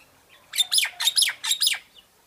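A myna gives about five harsh, rasping squawks in quick succession, broad and high-pitched with some whistled tones, lasting under two seconds.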